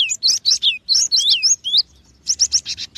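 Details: Cinereous tit (gelatik batu): loud, clear whistled notes that swoop down, several in quick succession, a brief pause, then a rapid burst of rising chips.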